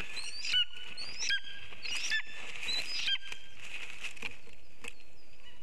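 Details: Lesser spotted eagle bringing a gift to the female, giving a series of sharp, yelping calls at irregular intervals, some doubled, over a steady background hiss.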